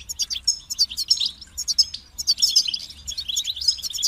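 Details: Short run of European goldfinch song: fast, bright tinkling twitters and buzzy chirps in two quick phrases separated by a brief pause.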